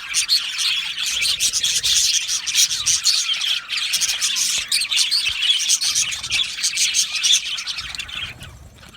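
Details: Aviary of Australian budgerigars singing and chirping as a group, a busy continuous tangle of high squawks and twittering that thins briefly near the end.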